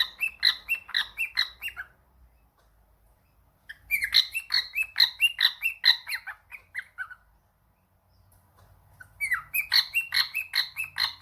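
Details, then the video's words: A pet cockatiel answering a phone call bursts into rapid, high chattering chirps in three separate bouts of two to three seconds each, split by short quiet gaps. "the cockatiel fam: Answering a phone call"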